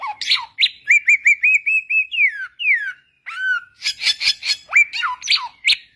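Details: White-rumped shama in the wild giving a clear song: a low slurred opener, a quick string of short even whistles, looping whistled phrases, then sharp broken chips and slurs.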